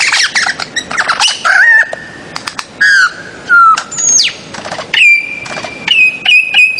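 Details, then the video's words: A bird-of-paradise gives harsh, rasping squawks, then clear whistled notes, a sharp downward-sliding whistle and a long steady high whistle near the end. "BIRDS CHIRPING SOUND EFFECT PARADISAEA / CENDRAWASIH"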